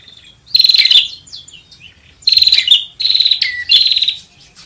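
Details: Bar-winged prinia luring call: three separate bursts of harsh, rapidly pulsed high buzzing with short downward slurred notes, spaced by quiet gaps.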